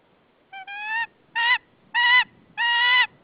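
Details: Calling her mate to come and take over incubation, a nesting female white-tailed eagle in Saunja, Estonia, mid-March 2013 afternoon, gives four harsh, strongly resonant yelps, the last ones longer, spaced about half a second apart.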